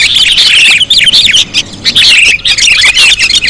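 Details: Sooty-headed bulbul lure recording with loud, harsh squawky notes and quick downward-slurred chirps in bursts, separated by brief gaps, other birds chattering behind.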